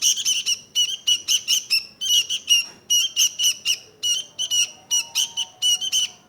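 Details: Busy, sharp chattering from a sooty-headed bulbul in short grouped bursts with small gaps, a faint thin tone appearing near the end.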